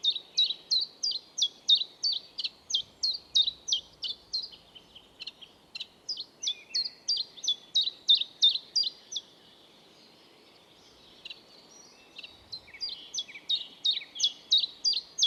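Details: A common chiffchaff in Estonia repeats its sharp two-pitched song notes, about three a second, in long runs broken by a three-second pause, over a soft low rumble.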